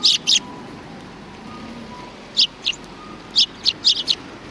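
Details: Sparrows behind a civic cultural hall, 17 January 2020: two chirps open, then after a gap a scattered series of short, high twittering notes, some in quick pairs, over light background noise.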